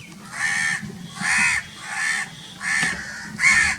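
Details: Very loud crows giving five drawn-out, raspy caws, each about half a second long and evenly spaced, over a quiet background.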